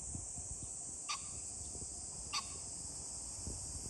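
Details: Green pheasant calling on 21 July 2024: two short harsh bursts about a second apart, each a sharp clipped note, over a constant shrill high-pitched drone and low rumbling background noise.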